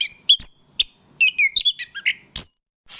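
Orange-headed Thrush giving a rich, varied song of quick whistled and slurred phrases, high-pitched and jumbled, with sharp notes interspersed.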